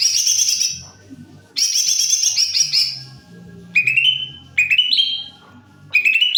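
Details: Greater green leafbird in full song, two long rapid twittering bursts followed by short rising whistled notes repeated about every second, with low background rumble.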